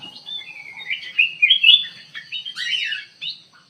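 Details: Kutilang emas bulbul singing actively inside an aviary: a lively run of clear whistled and warbled phrases, rising and falling, with a louder burst of slurred notes near the end.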